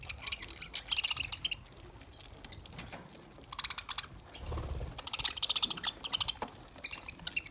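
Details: Lovebirds eating green summer food; bursts of high, buzzy chattering chirps come in two main clusters, separated by quieter pauses with faint pecking and rustling.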